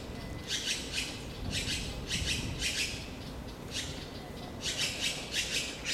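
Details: Taiwan blue magpie, recorded 28 April to 26 May 2013 while nesting, incubating and feeding young, gives harsh, raspy squawks, about seven bursts in six seconds in uneven pairs, over low background rumble.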